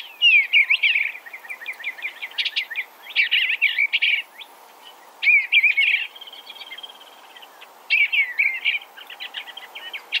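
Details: Eastern bluebird (Sialia sialis), song.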